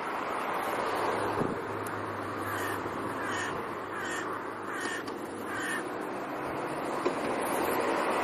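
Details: Crows in October, a family including last year's young back in their home territories; about five harsh, rasping caws come in a loose series through the middle seconds over a steady broadband hiss of background noise.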